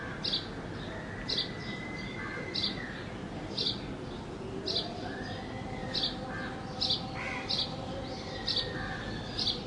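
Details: Sparrow in Bangladesh giving short, bright chirps repeated about once a second, with thin drawn-out whistles from other birds and a steady low background hum.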